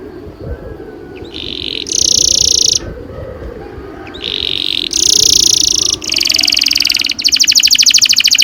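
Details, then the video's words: Canary, kenari, in long rolling song: bursts of dense high trilling alternate with quieter gaps, closing in a fast pulsed trill of evenly repeated notes; steady low background rumble throughout. "Kenari gacor NGEROL PANJANG"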